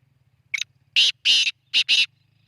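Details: Black francolin calling: a short, high opening note, then a harsh, grating series of loud raspy syllables, the last two close together. A faint low hum runs beneath.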